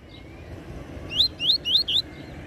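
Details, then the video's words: Double-collared seedeater in Tui Tui Zel Zel song style for tutoring: four clear, rising whistled notes delivered evenly about a quarter second apart, with faint background hiss. "Tui Tui Zel Zel Canto Top Para Encarte!!! Coleiro Mestre!!!"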